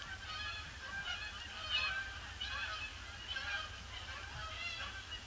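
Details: Huge influx of Canada geese circling a pond before landing, Boxing Day, grey gloomy weather; many birds honking together, bright overlapping nasal notes in quick succession, a louder burst near the middle, steady low rumble beneath.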